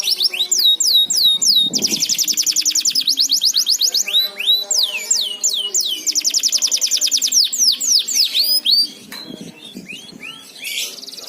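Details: Canary song used as a lure to get other canaries singing actively: rapid high trills of repeated downward-sweeping notes, fast buzzy rolls and separate whistled sweeps, phrases changing every second or two, softer toward the end.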